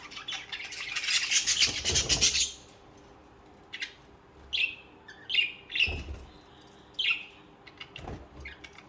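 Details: Pet budgerigars: a noisy rustling burst like flapping at first, then a series of clear short chirps and squeaks with brief pauses, plus a couple of thumps.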